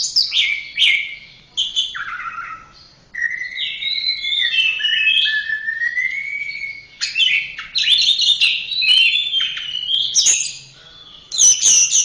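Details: Orange-headed thrush singing a long varied phrase of rich whistles and sliding notes, sustained warbles mixed with sharp high chips and quick mimic-like bursts, with brief pauses between sections.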